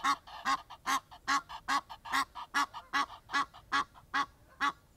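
Egyptian goose giving harsh, nasal honks in a fast series, about two or three per second, alternating louder and softer notes.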